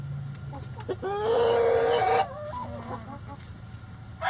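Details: Chicken singing the egg song: a few short clucks lead into a long, loud, strained harmonic cry of about one second, then quieter scattered clucks with low background hum.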